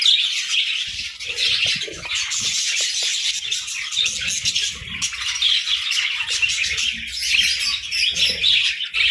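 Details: Many parakeets chatter in the morning, a continuous mix of sharp chirps, squeaks and warbled notes, with faint wing flutters and soft tapping.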